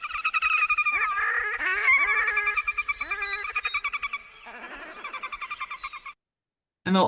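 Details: Red-necked Grebes, possibly a pair duetting, give loud, harsh, whinnying laughter-like calls in rapid, wavering bursts that carry far over open water, ending with a brief break and a fresh call.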